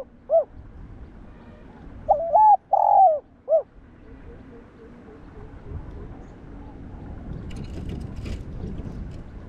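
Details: Spotted dove cooing, played to provoke other doves: a lone short coo, then one phrase of a double coo, a long coo and a short note, followed by low background noise and faint clicks.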